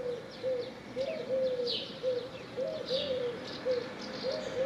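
A dove gives soft, low, hollow coos in a loose, repeated series, with high chirps from other small birds scattered above.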